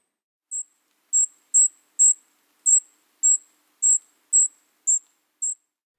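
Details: Golden-crowned Kinglet giving its high, thin call, a string of about ten very high, lisping notes, roughly two per second and nearly level in pitch, against a silent background.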